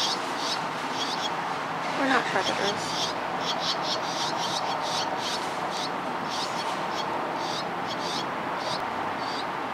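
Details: Barn swallow nestlings in a nest under a grocery store awning give high, thin, chittering begging calls in quick repeated bursts as parents fly in with bugs, over steady hiss with a brief louder sound near the start.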